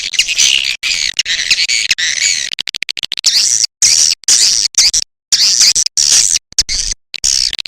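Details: Swiftlet-attracting call of the edible-nest swiftlet, A Leyung type: sustained shrill, buzzy chattering broken by short gaps, with raspy trills rising and falling in rapid bursts.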